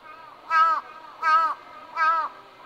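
Three clear, nasal, rich-toned caws from a Large-billed Crow, evenly spaced about three-quarters of a second apart, over a low background hiss.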